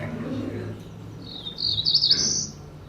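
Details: Cerulean Warbler song played over a speaker during an indoor lecture on West Virginia forest birds: a high, buzzy run of notes climbing to a thin, rising buzz, with a low room hum and a voice at the start.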